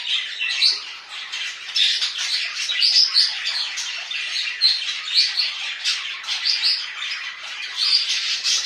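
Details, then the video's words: Household budgerigars keep up a lively warbling babble: high chirps, grating squeaks and tiny whistles tumbling together in an unbroken, fast-paced jumble. "budgies tutuqusu papagan"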